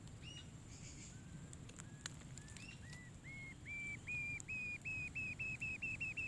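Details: Rufous-tailed jacamar nesting in a hole, chicks present: a few scattered thin notes, then clear whistled notes repeated about every third of a second and growing louder, over a low rumble.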